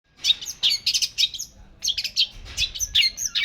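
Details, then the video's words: Long-tailed shrike singing actively: bursts of shrill, scratchy chirps and high twittering notes in quick irregular clusters, with a short pause midway before another run of varied sharp notes. "pentet gacor"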